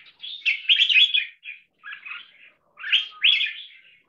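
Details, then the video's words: Trained red-whiskered bulbul that frequently sings in a marathon double-note style, joining six short songs into one. Liquid, warbling phrases come in separate bursts, some with rising slurred notes. "ULTIMATE 6 Double Note Marathon Singing Style Jambul"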